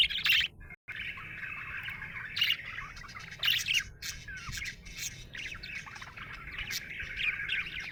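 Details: A happy budgie chatters and squawks, rough squeaky notes and warbles flowing steadily after a brief cut of silence near the start.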